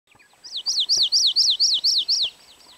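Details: Hawaii amakihi (Chlorodrepanis virens), a native honeycreeper of Hawaiian forests, calling: a quick run of eight high, slurred up-and-down notes, about four per second, over faint background noise.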